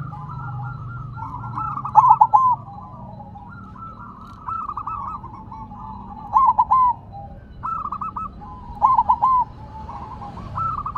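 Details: Zebra dove of the silver variety keeps singing while on the ground, giving four loud three-note coo phrases over eleven seconds, set against a busy chorus of softer rolling coos from other doves.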